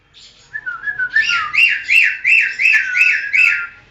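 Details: Greater green leafbird training song: a low gliding whistle followed by six or seven loud arched whistled notes, each rising and falling, repeated about three times per second in a steady rhythm.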